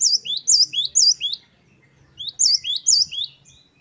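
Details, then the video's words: Gelatik batu (great tit) gives two bouts of about five quick, high, repeated whistled phrases in its wucit-wucit style, with a short pause between the bouts. "Glatik Wucit2 10 variasi Masteran Gelatik Gacor"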